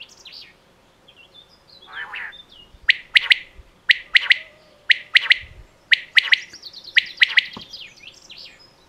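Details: Female quail from Pakistan giving clipped, bright calls in quick doublets and triplets, roughly one group per second, after a brief rasping note near the start.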